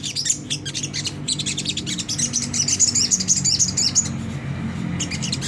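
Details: Rough, high 'ngriwik' chatter of a Sunda whistling thrush, used to draw caged birds into song: dense scratchy chips in a nearly unbroken run for four seconds over a noticeable low rumble.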